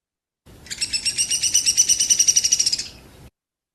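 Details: A Downy Woodpecker in Kentucky forest gives its song, a quick, high trilling whinny of about two seconds: sharp rapid notes running together, then descending in pitch at the end.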